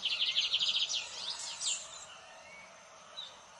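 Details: Lined seedeater song opening with a fast, evenly repeated series of bright high notes, then a short tangle of swooping slurred chirps, fading to quiet background hiss.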